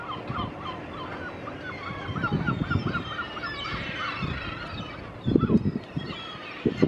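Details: An adult Glaucous gull at the port of Cangas, Spain, on 9 March 2017 gives a quick run of short, yelping notes in a steady laughing series, then a few scattered cries, over low wind rumble and thumps.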